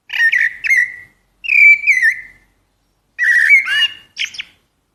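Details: Common blackbird (Turdus merula) delivering four separate short phrases of mellow whistles and quick chirps, each lasting under a second, with silent gaps between them.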